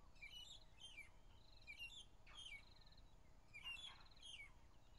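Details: Magpie-shrike (Urolestes melanoleucus), possibly a female or juvenile, sings on a morning drive on 15 April 2011 with four or five others calling around: short bursts of clear, liquid whistled notes, about one phrase a second, over a low rumble of wind or engine.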